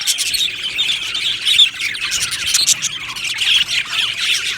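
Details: Aviary colony of happy budgerigars chirping together: nonstop high-pitched chattering and squawky notes from many birds, busy and overlapping, with brief louder bursts early and late.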